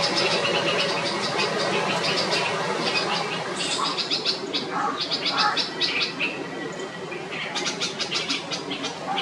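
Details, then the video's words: Red-vented Bulbul mother raising the alarm as her chick leaves the nest for the first time and hops on the ground, unable to fly; rapid harsh clicking notes in dense bursts, about a hundred per minute, with some softer lower sounds beneath. "Panicky Bulbul mother raises an alarm as sulky chick leaves nest for the first time"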